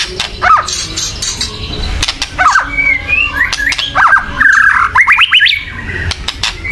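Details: Agitated chattering of a white-rumped shama, meant to provoke birds into song; sparse slurred whistles building to a quick run of rising buzzy notes, with sharp clicks and background hiss.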